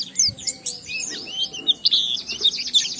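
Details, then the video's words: Oriental white-eye in full, energetic song played to stimulate other white-eyes to sing, delivered in the ngalas style: a rapid, unbroken stream of high, thin twittering notes and sweeping chirps. "Burung Pleci Gacor NGALAS Isian sambung Riwikan Materi Ampuh Merangsang Semua Pleci langsung Gacor"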